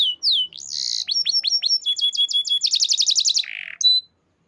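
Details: Canary in full song: clear whistles, a buzzy note, a series of falling slurs and a fast high trill ending in a lower buzz.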